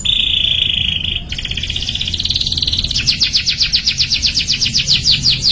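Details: Canary song as therapy for young canaries to sing sooner: a held whistled note, then a smooth buzzy roll that builds into loud, evenly repeated rising chirps, about three per second.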